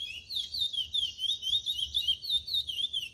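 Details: Brown-plumaged young chestnut-bellied seed finch (curió) starting to sing in the cascatinha style; quick whistled, warbling phrases in a steady rolling series, about four notes per second, with no other sounds.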